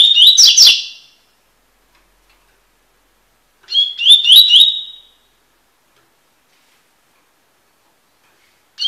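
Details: Double-collared seedeater (Sporophila caerulescens) singing the tui tui song style, used for song tutoring: two short phrases about three seconds apart, each a clear whistled note followed by quick buzzy, slurred notes, with silence between.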